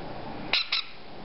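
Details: Two brief harsh squeaks from hungry white-bellied caique chicks, 5 to 6 weeks old, over a steady indoor background hum.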